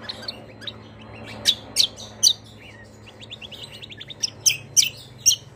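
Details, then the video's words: Cucak kombo, the Greater green leafbird, singing a long rolling 'roll panjang' song: soft high twittering broken by loud sharp chirps, a second quick run of twitters, then more strident chirps, with a low steady hum behind. "CUCAK KOMBO KECIAL KOMBO ROLL PANJANG GACORR||KECIAL KOMBO MANAPUN LANGSUNG NYAUT"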